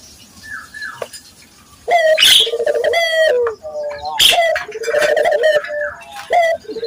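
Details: Barbary dove, a local bird cooing vigorously, used as a lure to train other local doves: quiet at first, then loud low rolling coos in quick succession with brief high chirps mixed in.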